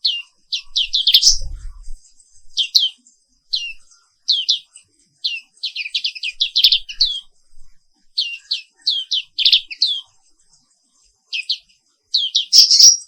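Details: Black-capped white-eye (Zosterops atricapilla) of Indonesia giving morning song: long runs of fast high chirps in rolling series, brief pauses between runs, ending in a loud buzzy burst; a low thump early on.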